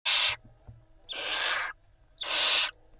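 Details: Barn owls at a live nest camera in Israel, 26 April 2021, mother preening her five chicks; three harsh, broadband hissing bursts, each about a third to half a second long, spaced roughly a second apart, over a quiet background.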